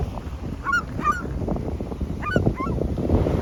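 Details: Gulls squeal in quick pairs of bright, bending yelps, a few close together, with wind rushing underneath.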